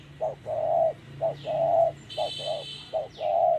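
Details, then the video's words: Spotted dove cooing in the 'thổ' style while being trapped with a decoy. Close, loud phrases alternate a short hoot with a longer drawn coo, four times in a row. A brief buzzy high sound and a thin whistle come between. "Bẫy Chim Cu Gáy Đất Hay | Gáy Giọng Thổ Cực Hay"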